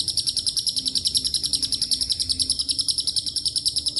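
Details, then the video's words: Long ngekek chatter from a lovebird whose song carries cililin and canary phrases: high, piercing pulses repeated steadily at roughly three and a half per second, continuous and even throughout. "LB NGEKEK PANJANG ISIAN CILILIN & KENARI"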